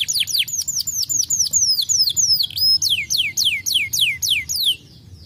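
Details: Canary song used to stimulate other birds to sing: a series of clear, downward-sliding whistled notes repeated about three times a second, with a brief sustained whistle midway, ending abruptly.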